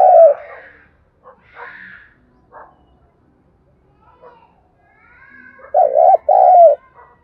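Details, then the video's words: Decoy spotted dove meant to prompt other doves to sing: a short coo at the start, a few soft chirps, then a louder double coo with a wavering, rolling tone near the end. "Tiếng chim cu gáy kích bổi nhanh nổi, cu gáy mồi luyện bổi hót theo"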